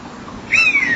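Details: At 19:38 on 28 September 2011, a common buzzard calls near a nest-box camera microphone: a single thin, mewing whistle sliding slowly downward over about half a second, faint background hiss.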